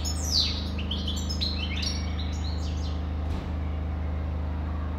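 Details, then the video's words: European goldfinch pouring out a rapid run of twittering, slurred chirps and trills in the first three seconds, then falling quiet while a low steady hum continues. "Καρδερίνα,chardonneret,goldfinch the best"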